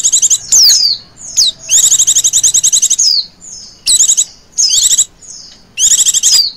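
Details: Female Oriental white-eye calling in the 'ngecir' manner to lure other birds: short high whistles and falling slurs, then a long, rapid trill near two seconds, followed by further clipped trill bursts.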